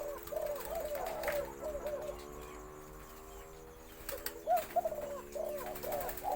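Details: White-coloured Spotted Dove giving a full four-kuk khan yon crowing song, with a medium-to-large deep voice. Played back from a recording. Low mellow coos come in short bursts over a steady electrical hum, with a gap in the middle.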